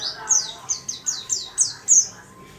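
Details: Warbling white-eye kept in a small cage, singing diligently: seven or eight sharp, high, descending whistled notes spaced roughly every third of a second, bright and clear over quiet background.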